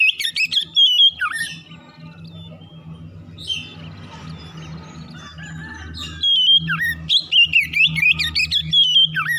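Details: Morning song of the Oriental magpie-robin, a lure for rapid singing: bright whistled phrases open and close the recording, while the middle is a stretch of hazy noise with a steady low hum and only faint notes.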